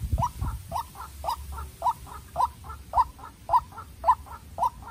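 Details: White-breasted waterhen: a young decoy bird fights a wild one by calling. Loud, clipped paired croaks pulse in a regular beat, each pair rising sharply in volume, above a quiet background.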